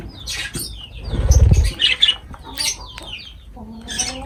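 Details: Lovebirds feeding: harsh high chirps in short bursts, a low rumbling noise in the first half, then a faint thin call.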